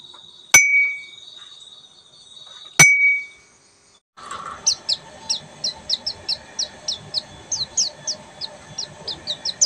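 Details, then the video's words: Oriental white-eye of the buxtoni form, singing in the full ngeriwik style: after two sharp clicks with brief tones and a short silence, a run of high, thin, quick chirps repeats steadily for about six seconds. "SUARA BURUNG‼️PLECI BUXTOMI FULL NGERIWIK"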